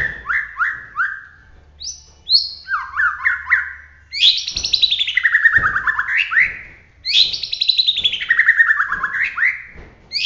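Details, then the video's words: White-rumped shama of the Bahorok type from Medan in full song pours out loud, rich fluty whistles, with quick runs of slurred, falling notes in rapid rolling phrases; no other sounds heard. "suwara murai batu Bahorok gacor roll tembak"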